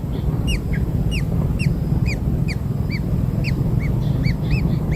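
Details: Kingfisher hatchlings fed black insects produce evenly spaced single arched chirps, about two per second, with faint higher ticks, over steady low-pitched noise.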